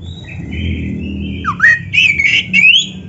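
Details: Singing Oriental magpie-robin, played to tutor young, lazy or reluctant magpie-robins: thin drawn-out whistles leading into a falling slur and bright looping whistled phrases, over a low rumbling background hum.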